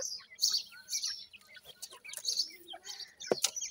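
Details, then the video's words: Francolin chicks uttering very high, sharp chirps in short clusters, several birds overlapping, with a brief loud clattering noise near the end. "irani teetar chicks ki best awaaz,Dakhni pheasant chicks"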